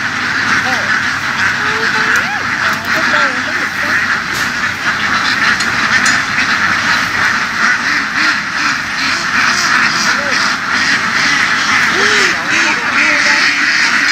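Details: Laying ducks raised by herding in the fields of western Vietnam, an unbroken, noisy chorus of many quacking birds, with scattered clicks and short wavering voiced sounds over the din.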